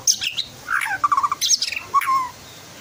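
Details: Captive white-rumped shama from Klaten, Central Java, Indonesia, aged twelve months after losing its juvenile spots, singing persistently: varied phrases mixing high whistles, harsh buzzy chatters and a run of quick mid-pitched notes, then a falling slurred whistle; faint room noise.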